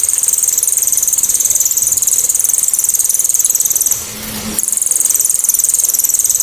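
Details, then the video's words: Loud, piercing cililin 'tembakan' for tutoring songbirds such as leafbirds and white-rumped shamas: a fast, even, very high-pitched rattling trill held for several seconds, with one short pause before continuing at the same pace. "TEMBAKAN ‼️BURUNG CILILIN‼️ SEPERTI KESELEK SANDAL😂KERAS TAJAM DAN JERNIH"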